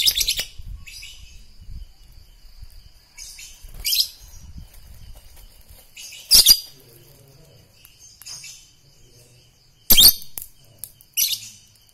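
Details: Lovebird kept in training to become a contest fighter, giving a few scattered, harsh high chirp bursts separated by quieter pauses, with low murmuring sounds and a soft rustle in the background.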